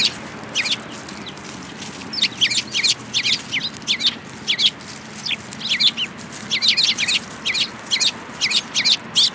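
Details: Eurasian tree sparrows gathering to be fed at a Tenmangu shrine in February 2022; dense, overlapping high chirps in quick irregular bursts from several birds, with a steady low background hum.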